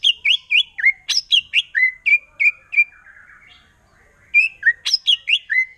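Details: Wild forest white-rumped shama delivering 'nembak' song meant to provoke rival shamas: quick, clear falling whistles, about four per second, with sharp high flicks, a brief quieter warble, then the rapid whistled series again.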